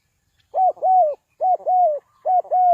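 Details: Spotted dove call from Ninh Thuận, used to lure birds into traps: rapid paired coos, a short note and a longer slurred falling one, repeated three times in under three seconds.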